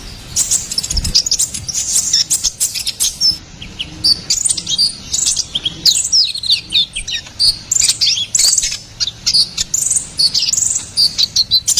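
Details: Vigorous song of a ruby-cheeked sunbird, used to tutor and lure songbirds: long run of rapid, high, sharp chirps and twittering trills, fairly steady in pace and hardly pausing.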